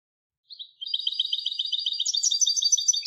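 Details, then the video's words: European goldfinch hybrid: two short chips lead into a sustained, fast, rattling trill of bright high notes that grows richer toward the end. "تغريد هجين الحسون Canto De Mixto del Jilguero"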